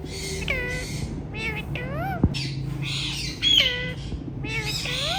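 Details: Hand-tame ringneck parrots calling in a string of harsh, arching squawks and nasal slurred notes, some overlapping, with a single sharp knock and low background hum.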